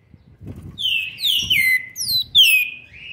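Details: Seven-month-old green-winged saltator, recorded in November 2020, delivers one loud continuous phrase of clear whistles, each note sliding downward, with a final rising note; faint low thumps beneath.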